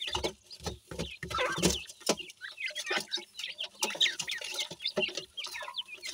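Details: Young dakhni teetar partridge chicks at play; soft thumps and scuffles open, then bursts of bright, quick chirps from several chicks fill the second half.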